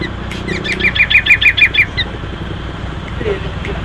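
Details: Six-year-old sooty-headed bulbul singing loudly: a quick run of about eight bright, evenly spaced chirps over one second, then quieter scattered notes, with a low steady hum underneath.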